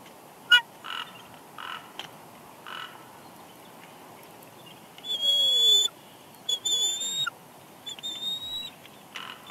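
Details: Nesting female bald eagle, Big Bear Lake, California, continuing soft whines while taking a headless fish from her mate: a sequence of high, thin, slightly wavering whistled notes, several drawn out, amid scattered knocks and rustles.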